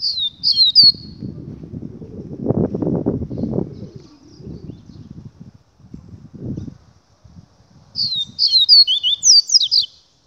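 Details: Double-collared seedeater, a 'Gladiador' papa-capim, giving quick bursts of twisting high whistles at the start and again near the end, separated by several seconds of low rustling and handling noise.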